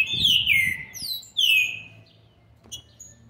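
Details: Green-winged saltator youngster, seven months and twenty days of age, recorded 13 November 2020, sings two strong, sweet whistled slurs that drop in pitch, then falls quiet apart from a faint click.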